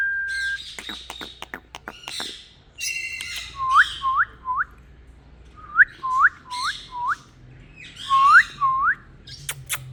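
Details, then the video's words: Green Indian ringneck parakeet kept as a pet, talking and whistling: rapid clicking chatter, then sets of three to four short rising whistled notes repeated in groups, broken by harsh squawky bursts. "My Parrot Green Talking"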